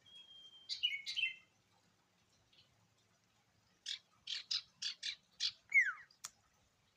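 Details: Energetic ashy tailorbird (sirtu) singing: a long thin level whistle, then buzzy chattering notes, a quiet gap, a run of six sharp staccato buzzes and a loud downward-sliding whistle.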